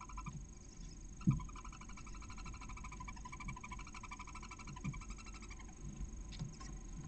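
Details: Barn owl nest in Cabañeros National Park, Spain, on the morning the first of six eggs hatches after 31 days of incubation; the female calls the chick, which answers from the egg; rapid soft chittering pulses, about a dozen a second, over a low hum and faint rustling.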